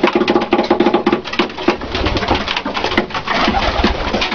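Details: Domestic pigeons of the Dalıcı (diving) breed, with low cooing notes repeated quickly in the first second, then scattered single coos over a dense, noisy background of flapping and shuffling.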